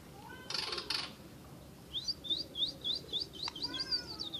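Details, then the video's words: Asian brown flycatcher in lively song: a quick run of thin, high, upslurred chirps, three to four each second, follows two short, broad rasping bursts over a faint hiss of background noise. "Burung mure bordan gacor"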